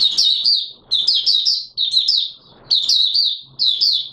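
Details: Song of a white-eye (Mata Puteh Raja), not yet in full condition, 9 May 2022: thin, high warbling bursts of rapid rising and falling notes, about one phrase per second, with a faint low hum underneath.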